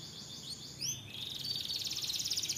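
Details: A singing canary gives a few short rising whistles, then breaks into a dense, fast, pulsing trill that holds to the end of the clip.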